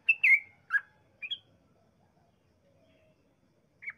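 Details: Yellow-vented bulbul in 'ropel' song intended to set other bulbuls singing: a quick burst of four or five slurred whistled notes in the first second and a half, then near silence and one last note.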